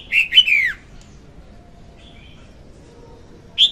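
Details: Red-whiskered bulbul, a female, singing on a recording used to lure bulbuls for trapping: one rich, warbling phrase that dips steeply downward at the end, then silence before a single bright note starts again.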